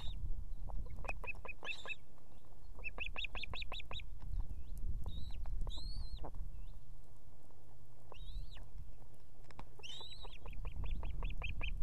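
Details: At an evening nest in Estonia with two chicks, a female osprey calls the male, who soon arrives with fish: rapid runs of five to eight clear, high whistled chirps and longer slurred whistles, over low wind rumble.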